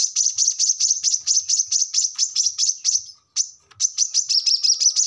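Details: A brown-throated sunbird delivers its 'ngobra' chattering song, recorded to prompt caged birds to answer. Quick, thin, high chirps repeat steadily, broken once by a short gap, then resume at a similar pace.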